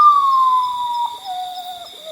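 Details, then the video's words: Common Potoo song: a loud, mournful, sobbing whistle sliding slowly downward, then a second, lower falling note, over a faint steady high hum; known as the poor-me-one in parts of South America. "In parts of South America, it's simply called the poor-me-one because that's exactly what its call sounds like it's saying."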